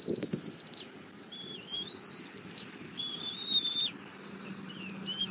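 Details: Southwest Florida bald eagle nest, 08:41 on 24 February 2024, mother feeding the eaglet an armadillo breakfast. Clear thin whistles, rising then leveling, arriving in a sequence of four or five notes, with quiet nest movement.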